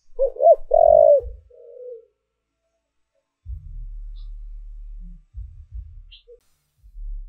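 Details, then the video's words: Spotted dove used as a lure bird to draw in wild doves: a strong coo phrase of two quick notes and a drawn-out hoarse coo trailing into a softer note, then a long deep rumbling hum. "Cu Gáy Mồi Thúc/ Gáy Gọi Kích Bổi"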